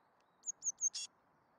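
Eurasian blue tit: three thin, very high, slightly falling notes, then a quick buzzy churr, over faint steady background hiss.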